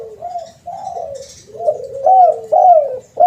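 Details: Lure recording of a spotted dove: mellow cooing notes, some slurred and drawn out, repeating at an uneven pace, with faint high chirps in the background.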